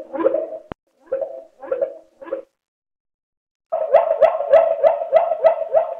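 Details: Waterslager canary singing the klokkende tour, slowed down; a few low, rounded separate notes, a pause, then a rapid regular series of bell-like pulses about three per second.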